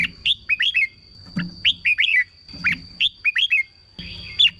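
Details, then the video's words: Red-whiskered bulbul song played to excite caged birds: short phrases of three to four bright, warbling whistled notes, given in bursts about every one and a half seconds, with a steady high tone and faint low hum behind. "เสียงนกกรงหัวจุก สำหรับต่อ หรือ เปิดให้นกคึก เสียงเพราะๆ"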